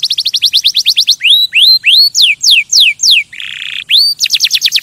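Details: Canary song to stimulate other birds: a rapid rattle of rising notes, slow loud upslurred and downslurred whistles, a harsh buzzy burst, then another quick trill.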